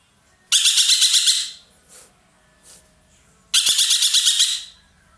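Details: Ekek keling roller, a caged songbird kept as a master bird in Indonesia, singing loudly: two harsh, rasping bursts of about eight rapid pulses each, roughly three seconds apart, with faint scratchy noises between.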